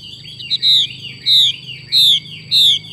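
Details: Caged female hwamei calling in the 'xùy' style: four clear, bright notes, each a quick descending whistle, spaced roughly every two-thirds of a second, against a steady thin whine and low rumble.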